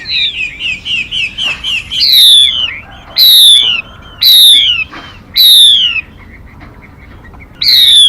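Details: Female Mi bird decoy recording used to lure birds into traps: a brief run of quick clipped notes, then a series of loud, harsh, downward-sweeping calls spaced about a second apart, with one longer pause.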